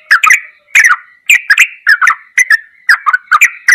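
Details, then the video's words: Sooty-headed bulbul in ropelan goklikan style, a tutor recording: rapid chains of liquid, bubbling notes punctuated by sharp clicks, about two bursts per second on a clean, quiet background. "MASTERAN TRUCUKAN TERBAIK || ROPELAN GOKLIKAN TOP"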